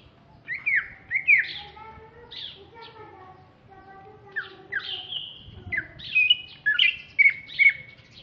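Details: Loud song of a greater green leafbird from Alas Purwo in Banyuwangi, East Java: rich falling slurred whistles, a stretch of lower muttered notes, then a long steady whistle and a cluster of quick swooping phrases.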